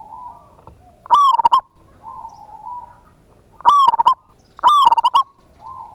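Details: Perkutut, the local zebra dove, in lure song of ngayer kerot nutut style: three loud rolling coo phrases, each a rising note and fast stuttered coos, alternating with quieter flat coos.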